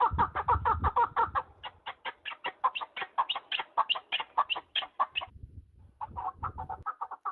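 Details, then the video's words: A partridge in mountain country gives a fast series of harsh chuck notes, dense and loud at first, then more spaced. It stops for about a second near five seconds and resumes, with faint low rumble. "Listen to the sound of partridges and wild birds in the mountains"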